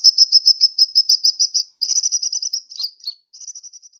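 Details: High-pitched sunbird lure call from Sukabumi's Pajampangan area, Indonesia: rapid, evenly spaced sharp notes, a second quicker burst, a couple of slurred downward notes, then a fading run of thinner notes.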